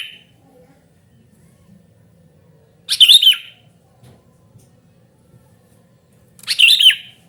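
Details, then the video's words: Sooty-headed bulbul in noisy calling. Two short, liquid, bubbly phrases with a quick up-and-down lilt, about three and a half seconds apart, over a quiet background. "suara burung kutilang gacor super ribut memanggil"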